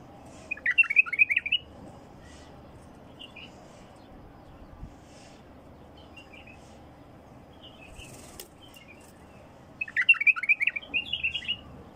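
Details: Wild bulbul delivering two bursts of rapid warbled, chattering notes near the start and end, with a few soft isolated notes between them over a steady low background hum.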